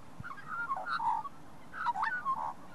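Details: Wild Australian magpie, also called pied currawong, in a shopping centre car park, answering a person who talks to it: two bursts of rich, gurgling, warbled notes, with light background noise.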